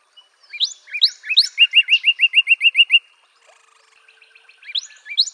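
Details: Northern Cardinal singing a phrase of rising sweeps and a fast run of about ten even slurred whistles, followed by quieter notes and the start of a new phrase.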